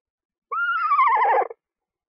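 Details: Screech owl at a nest box where two newly hatched owlets, one to two days old, are being fed: a loud, quavering whinny that rises briefly then slides downward, ending in a rough, breaking flutter.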